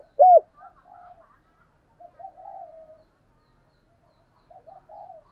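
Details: Spotted dove decoy bird: one loud short falling coo, followed by faint, low murmured cooing notes and quiet gaps.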